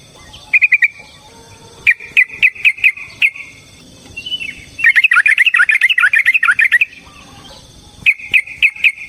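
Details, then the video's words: Yellow-vented bulbul (trucukan) in fighting-style song used as a lure: short whistled chirps, then a long fast bubbly trill near five seconds, then more clipped repeated notes to the end. "Suara Burung TRUCUKAN gacor TARUNG ROPEL PANJANG pancingan trucukan agar JADI trucuk gacor EMOSI"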